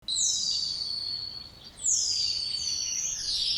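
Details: Spotless starling song: two long, loud whistles sliding downward from very high pitch, the second followed by a shorter descending note.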